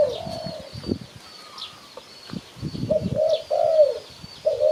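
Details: Cooing of a spotted dove, played to attract birds for trapping: soft rounded coos opening the clip, then a grouped run of three coos near the end, over low rumbling noise and thin high twittering of other birds.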